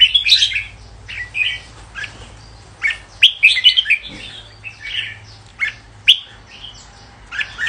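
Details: Red-whiskered bulbul song in short, bright bursts of chirpy, whistled notes, separated by brief quiet gaps; a loud cluster of phrases lands in the middle, with a low background hum throughout.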